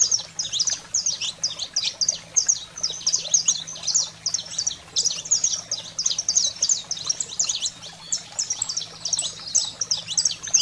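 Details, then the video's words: Saffron finch singing to stimulate pet canaries: long continuous run of high, rapid chirps and downslurs in repeated phrases with brief gaps, soft low hum beneath. "Canário-da-terra Fogo Selvagem para Estimular a Fibra e Foguear seu Canário em Minutos"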